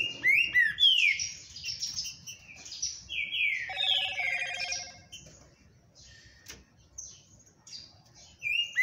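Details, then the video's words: Powerful green-winged saltator (trinca-ferro) song: loud rich whistled phrases sliding downward, a burst of layered notes in the middle, then quieter high calls and a final strong whistle. "TRINCA FERRO MUITO FIBRADO"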